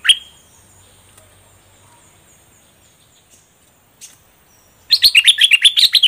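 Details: A single high note opens, then a long quiet stretch, and finally a rapid cascade of about ten bright warbled notes from a caged bulbul in full plumage singing its pure double-style song.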